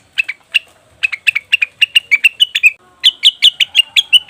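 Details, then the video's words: Leafbird lure calls meant to draw in wild birds: clear, high chirps in an uneven sequence, a short pause, then a faster burst of slightly rising notes. "pancingan burung cucak wilis/rengganis dijamin langsung bunyi"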